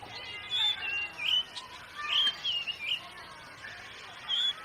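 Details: Oriental magpie-robin whistling scattered clear, wavering notes with short gaps between them, over a steady background hiss with faint murmurs.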